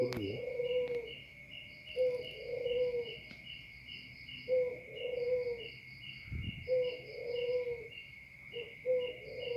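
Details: A very vocal spotted dove gives repeated low, mellow cooing phrases about every two seconds, over a steady high insect trill and a low hum.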